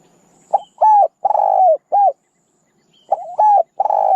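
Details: Loud, clipped cooing of a spotted dove for decoy use: one full phrase of a short note, a level coo, a long rolling coo and an end coo, then a second phrase beginning.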